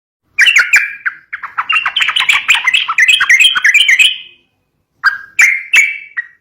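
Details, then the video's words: Sooty-headed bulbul song, used by keepers to prompt young birds, in a fighting style: a fast run of chattering, bubbly notes lasting about four seconds. After a short pause come a few sharp whistled notes. "COCOK BUAT PANCING BURUNG TRUCUK MUDA"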